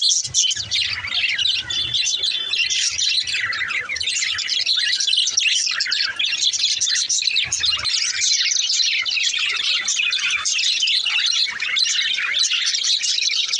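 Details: Happy male budgerigars keep up a dense, continuous warbling chatter of scratchy, high chirps and warbles.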